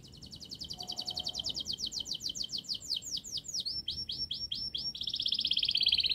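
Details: Domestic canary in long, fast, tightly packed song, played to lure young canaries into singing early: rapid high trills of repeated sweeping notes, shifting to slurred swooping syllables midway, ending in a buzzy rattling trill; a faint low whistle briefly early on.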